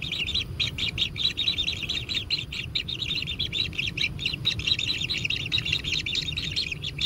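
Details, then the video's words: Hungry kingfisher chicks at a natural nest, being fed with begging intensifying: a dense, buzzy chatter of high notes, quickly repeated and running on throughout. "Anak Tengkek Diberi Makanan Semakin ExTrim - Natural Kingfisher Bird Nest"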